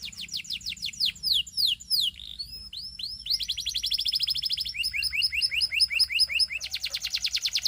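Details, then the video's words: Belgian canary singing: rapid series of high downward-sweeping notes, then a dense rolling trill of repeated short syllables that changes pace several times and ends in a faster buzzy roll. "Belgian Canary Singing"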